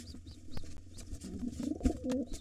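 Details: Wild pigeons clash over a nest with two nestlings, the gray intruder against the white father. Throaty coos build toward the end, with a thump, faint high peeps and a low background hum.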